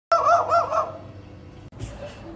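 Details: A magpie adopted by a Staffy dog mimics a dog's bark with one hoarse, wavering, bark-like burst under a second long, then fades into faint background noise.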